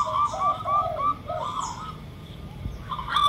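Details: Perkutut lokal (zebra dove) lure sound alongside a derkuku: overlapping high and low coo notes in quick succession for a second, a softer drawn coo, then a pause and a short high burst at the end.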